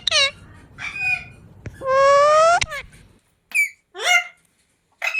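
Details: Ringneck parrot, a talking pet bird filmed while dancing, giving short harsh harmonic squawks, then a long steady rising nasal tone lasting nearly a second, followed after a pause by three sharp descending screeches.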